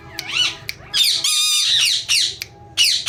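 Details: Ringneck parrot reportedly saying "mithu mithu": a rising-falling voice-like sound, then loud grating squawks with a steady whistled tone running beneath, ending in short harsh bursts.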